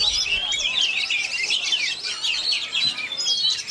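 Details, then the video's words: Oriental magpie-robin (kacer) of the Kejora style singing on through strong wind; dense, continuous high chirping and twittering phrases, with scratchy notes and sliding whistles layered over steady background noise. "Kacer KEJORA Tak Peduli Walau Diterjang Angin"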